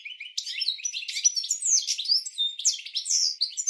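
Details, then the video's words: European goldfinch singing a training song for cage birds: a dense, unbroken stream of tinkling twitters, slurred whistles and buzzy chirps, lively and varied throughout, with no other sounds. "Goldfinch 12h Training Song"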